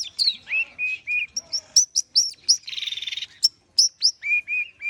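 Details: Long-tailed shrike singing while warming up: a varied run of whistled notes, slurred phrases and sharp chirps with a buzzy rasp in the middle, ending in a few repeated level whistles.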